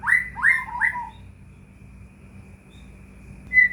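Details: White-rumped shama singing as a lure for other shamas: three quick upslurred whistles, a long pause, then one clear high note, with a faint steady hum behind.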